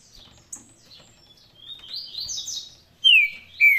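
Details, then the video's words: Green-winged saltator in Paraná song style. Soft, high chattering notes come first, then two loud, clear whistles slide downward near the end. "Trinca ferro Faísca, canto Paraná"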